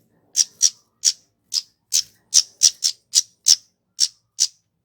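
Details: Kemade bird, a recording used as a lure so that male and female cit keres start singing: a series of sharp, very high, clipped chip notes repeated two or three times a second in a clean, noise-free recording.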